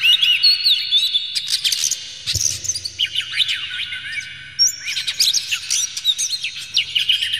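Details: Oriental magpie-robin in a clear, harsh lure recording meant to rouse a bird to sing emotionally. Dense, jumbled torrent of scratchy notes and high whistles, nearly unbroken, with a single dull thump partway through.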